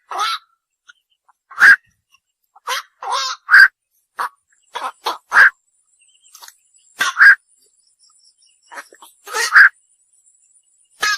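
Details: Night heron giving harsh, hoarse croaks and squawks, short bursts spaced irregularly, some strong calls in pairs, with fainter croaks between; no other clear sounds.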